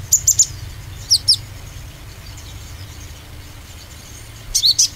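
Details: Oriental white-eye lure recording meant to make other birds sing with confidence. Three short bursts of rapid, very high chips, separated by quiet gaps, over a faint low background hum.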